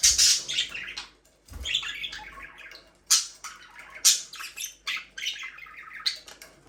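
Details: Budgerigar breeding pair kept in an aviary, producing a string of harsh chirps, squawks and warbling chatter, several sharp loud notes standing out among softer murmuring phrases.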